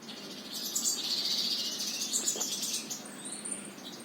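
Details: A sunbird at a house in New Delhi near Qutab Institutional Area gives rapid, thin, high-pitched twittering chirps in quick runs over a faint background hiss.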